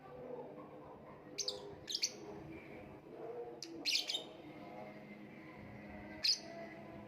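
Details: Lovebird giving short, shrill, high-pitched chirps in small clusters, about five bursts over seven seconds, some doubled, over a steady low background hum.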